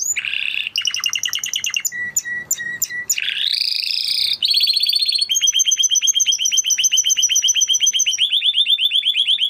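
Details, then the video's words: Varied Spanish Timbrado canary song: buzzy tours, short repeated flat notes, a rising rasping phrase, then long fast rolling trills that change pitch partway through. "Canary Sound Effect - Canary Singing Video"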